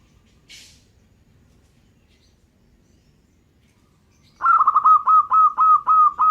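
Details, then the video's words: Local zebra dove in full, vigorous song: after quiet with one brief high chirp, a rapid staccato run of clipped cooing notes near one pitch starts, pulsing quickly and evenly to the end. "suara perkutut lokal gacor"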